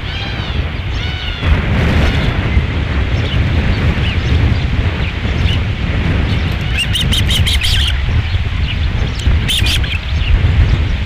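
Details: Osprey at a nest at Dunrovin Ranch on 11 July 2016, around the second fish delivery: thin whistled chirps early on, then quick clusters of sharp repeated chips later, all over steady, heavy wind rumble.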